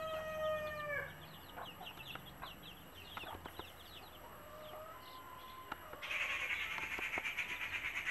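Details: A mother hen of native country chickens calls her chicks to food: one long falling harmonic call opens, then a scatter of high chick peeps and clicks, and a hissing noise for the last two seconds.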